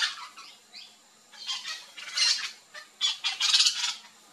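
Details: Flock of yellow-chevroned parakeets at backyard fruit in Brazil: a few thin whistled notes, then grating squawks in short clusters separated by quiet gaps of about half a second.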